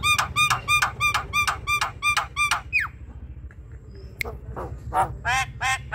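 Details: Javan myna, a spirited bird used to prompt a lazy one to sing: a steady series of rapid, clipped chattering notes about three per second, then a pause and further scattered harsh notes.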